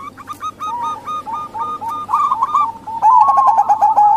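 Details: Local zebra dove females cooing to attract males. Evenly spaced soft coos build into a louder, faster rolling trill over the final second.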